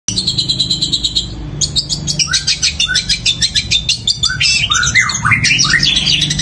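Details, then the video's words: Long-tailed shrike in full competition-style song, imitating sparrow calls, loud and long: a run of dense high chattering notes, then fast scratchy chirps and short down-slurred whistles tumbling on without pause, with a low hum underneath. "Cendet suara gereja tarung sambung kunti gacor panjang keras powernya"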